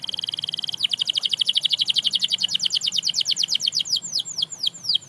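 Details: Canary song, said to inspire other canaries to sing again: a quick, even high trill switches to a long run of repeated downward-swept whistles that gradually spread out and slow.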